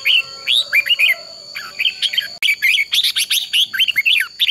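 Red-whiskered bulbul singing rapid, bright whistled phrases with chattery notes, about two or three phrases per second; a steady high electronic tone runs underneath.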